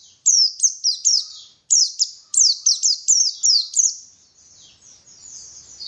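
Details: Pleci (white-eye) singing in a recording used to lure birds into song: a lively run of high, quickly falling chirps in close succession, broken by a short gap, then fading into softer high twitter.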